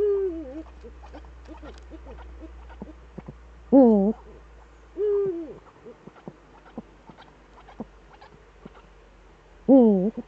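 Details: Eurasian eagle-owls back as a pair in the Eifel, evening of 11 March 2013: three or four harmonic calls spread across ten seconds, some wavering, one level and falling, with clicks and knocks between them.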